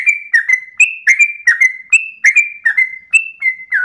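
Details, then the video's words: Sooty-headed bulbul singing ropelan at dawn, short sample of crisp high whistled notes, some held flat, others dipping, tumbling together in quick succession with faint sharp ticks above. "ROPELAN TRUCUKAN Terbaik subuh pagi hari"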